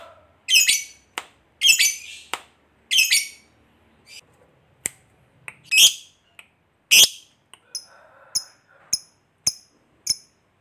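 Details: Caged fighter lovebird giving long chatter used to provoke other lovebirds to sing. Shrill, high squawks and sharp clicks come in separated bursts, thinning to short ticks.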